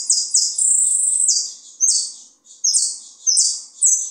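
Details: A caged Saffron finch sings high, bright chirps and buzzy trills in quick phrases with brief pauses.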